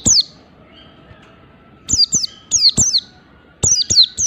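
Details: Mountain white-eye singing in the 'ngalas' style: sharp, high whistled notes sliding downward, given singly and in quick pairs, with short pauses between bursts.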